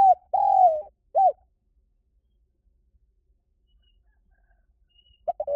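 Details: Lure recording of a spotted dove: a short note, a long wavering coo and a brief arched coo, then about four seconds of silence before two short notes start the next phrase.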